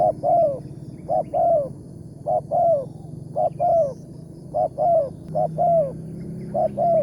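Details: Spotted dove, a trapping target noted for its loud 'tarik akar' voice, recorded in the morning while a decoy was set. Repeated double coos, a clipped note and then a longer descending one, roughly every second, with a faint low drone behind.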